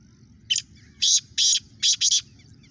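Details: A 7-month-old black francolin that has just started calling gives five harsh, grating notes: one short note, then two longer pairs, over under two seconds. A low rumble runs underneath.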